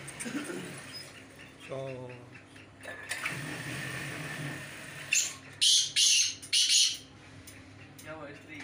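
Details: Black francolin (kala teetar) calling during a performance check against a rival francolin: a series of loud, harsh, grating bursts in quick succession near the end, after softer chatter and background hum.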